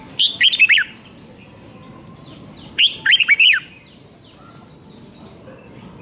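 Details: Red-whiskered bulbul in Thailand singing a doubled 5-syllable song used to teach young birds. Two short, lively phrases of four to five looping, whistled notes come about two and a half seconds apart over faint hiss.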